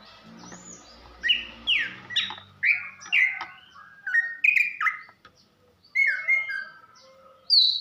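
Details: Female greater green leafbird, Banyuwangi type, calling to stimulate a silent male: varied slurred whistles and downward sweeps in short phrases, a brief gap, then chattering notes ending in a high upward whistle.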